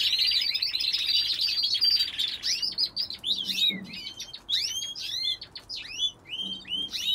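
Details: Caged canaries in a bird aviary: a fast, buzzy rolling trill at first, then separate sharp upward-sweeping chirps and twitters, spaced irregularly, with brief quiet gaps.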